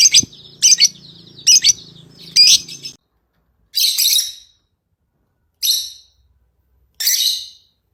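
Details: Lovebird producing a quick run of grating high chirps, then three well-spaced harsh, buzzy squeaks against near silence.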